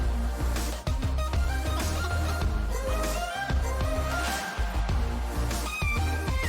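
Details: Instrumental music with a beat and melodic notes runs throughout. No animal sound is heard.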